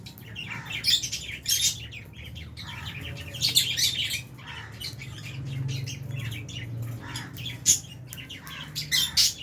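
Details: Flock of albino and Fisher's lovebirds with budgies at mealtime in an aviary; continuous busy chattering and scratchy chirps throughout, over a low rumbling hum.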